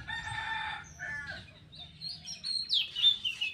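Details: Black-winged myna feeding, giving a harsh, varied song: buzzy, harmonic-rich phrases in the first second, then squeaky higher whistles and chatter rising toward the end, with low background rumble.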